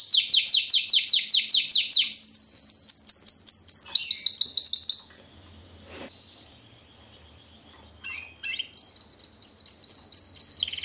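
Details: Timbrado Español canary from 2013, a fast, metallic, strong singer with some unusual song phrases: a loud run of rapid descending sweeps, then a high buzzy trill, a short pause, and a further fast high trill.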